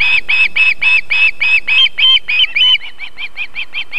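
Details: Nesting osprey in South Estonia, a female feeding chicks on a summer evening near a river and fish farm, gives a steady chain of shrill whistles that shorten and soften toward the end, about four per second.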